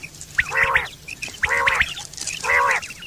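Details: Quail, September 2023, used for hunting and mating: three loud, rasping, nasal bursts about a second apart, each with a thin chirp at its start.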